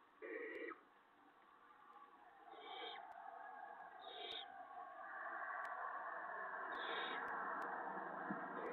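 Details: Barn owl nest at 5:01 AM on 6 April 2017, an adult delivering a vole to an owlet; brief raspy hisses come at irregular intervals over a steady rising hum, with faint clicks between them.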